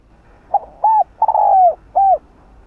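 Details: Spotted dove at midday giving soft, hollow coos: a short note, a swelling two-part coo, a longer drawn-out coo and a final coo, spread over two seconds.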